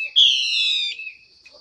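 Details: Female Chinese hwamei call used to draw song from males: a single loud, sustained whistled note lasting under a second, slightly falling at its end.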